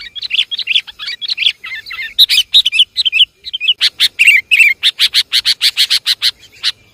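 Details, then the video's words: Sooty-headed bulbul luring calls: busy bubbling chirps, then a regular sequence of sharp, clipped notes repeated several times a second. "Suara pikat burung kutilang"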